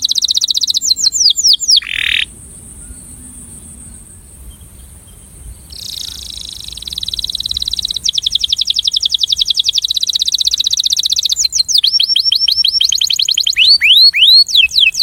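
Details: Breeding male canary singing an attraction song: quick descending whistles, a short buzz, a quiet pause, then long rapid high trills and sweeping slurred notes.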